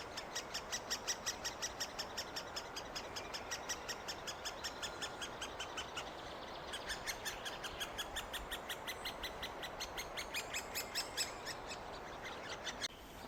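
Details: Great spotted woodpeckers feeding nestlings in the final days before fledging, after three weeks of feeding: steady, high, even notes repeated almost three per second under heavy background hiss, with a brief break near six seconds.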